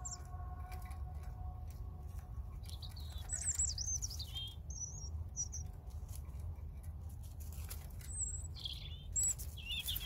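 A European robin sings thin, high, wavering phrases with trills and whistles, broken by short pauses, over a steady low rumble of background noise.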